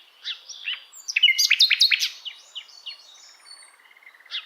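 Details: Asian brown flycatcher tutor song: soft scattered chirps build into a dense tumbling burst of sharp, squeaky notes, then taper into faint quick twitters.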